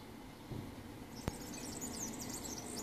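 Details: Singing male-type song of a European serin (Serinus serinus) at Ķengarags, Riga, Latvia, 13 June 2018: a very high, fast, jangling and buzzy jumble of notes over low background hum, with a single sharp click partway through.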